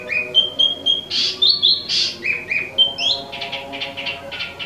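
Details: Imported Wambi mini (Tieu Mi) in energetic song: steady pure whistles alternating with loud harsh bursts, then a run of quick repeated chips about four per second.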